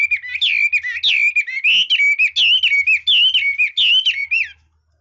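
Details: Red-whiskered bulbul in strong song, with a run of rich warbled whistles wavering up and down, phrases linked almost without pause for about four and a half seconds before silence.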